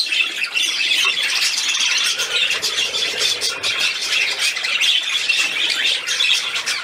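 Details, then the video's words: Budgerigar at play recorded 13 December 2019, keeping up a dense, raspy, high-pitched warbling chatter of quick squeaks and clicks with no breaks. "Der Wellispielfilm"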